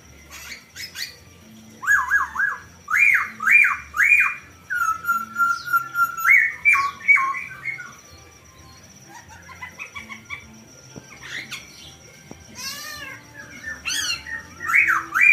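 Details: Laughingthrush, a reluctant singer, answering within seconds after a lure recording: loud rising-falling whistled notes in quick groups of two to three, a long flat whistle, scattered chirps and higher squeaky notes.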